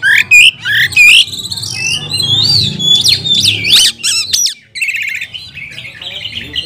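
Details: Oriental magpie-robin provoking song for training other birds: loud whistled upslurs and squeaky notes, then sweeping warbles and buzzy trills, with a low hum underneath.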